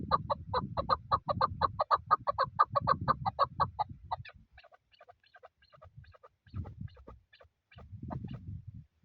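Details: Chukar partridge delivering a quick string of clucking notes that fades after four seconds into scattered faint calls, with low rumbling noise throughout.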